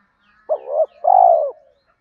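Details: A single loud two-part coo from a spotted dove in the thúc gù style used to stimulate training birds: a brief hooting note, then a longer, smooth, falling coo.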